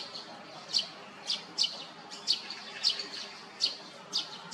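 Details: Great spotted woodpecker, parent and fledgling during rearing at Hyochang Park: a run of about nine sharp, clipped high kik calls, one roughly every half-second, over a quiet low hum.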